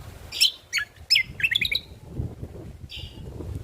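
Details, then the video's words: Ruby-throated bulbul, a genuine recording for luring and tutoring birds: a handful of sharp, slurred chirps in quick succession, followed by a pause and one softer chirp near the end. "Suara Asli Burung Cucak Kombo"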